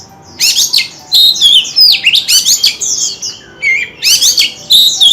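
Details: White-rumped shama singing while fanning its tail: rich, varied phrases of loud whistles and sweeping slurred notes, with bursts of fast chattering trills, separated by short pauses.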